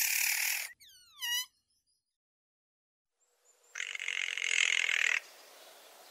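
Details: Spotted nutcracker with one long, rasping, broadband call late in the clip. It is preceded by a short harsh burst and a quick series of falling, tonal, stacked notes. Otherwise quiet.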